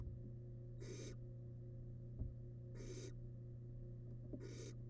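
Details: Barn owl nestling feeding on a large piece of rabbit in a wild nest box; three drawn-out, airy hissing calls about two seconds apart, with a soft knock and a low constant hum.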